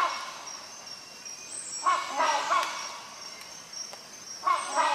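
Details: Loud, hoarse honks from a rhinoceros hornbill come in a tight burst early on and again near the close, set against a continuous high-pitched buzzing background.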